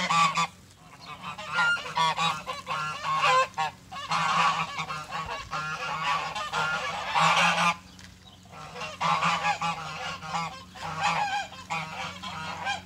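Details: Domestic geese sharing a farmyard with chickens in spring, honking loudly in long, dense bursts of harsh, nasal, overlapping calls separated by short quiet gaps, over a constant low hum.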